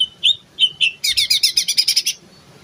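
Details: Terotol-style song of a female greater green leafbird from Banyuwangi, yellow-headed: three slurred whistles followed by a rapid run of about ten buzzy, rattling notes repeated evenly for one second.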